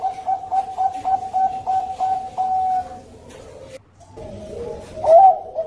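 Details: Zebra dove of the Bangkok type singing a lure song: brisk repeated coos leading into a drawn-out tone, a brief gap, then quieter, bending cooing with one loud rising note near the end.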